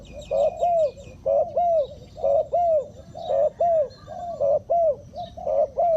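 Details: Spotted dove kept as a lure for wild doves, cooing steadily: paired, slightly falling mid-pitched notes at close intervals, with thin twittering from small birds at the start and a quiet outdoor backdrop.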